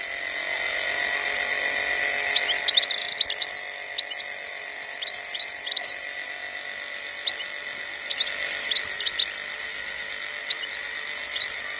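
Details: European goldfinch singing in 2021: bursts of high, rapid twittering and tinkling notes over a steady electrical hum, with quieter gaps between phrases.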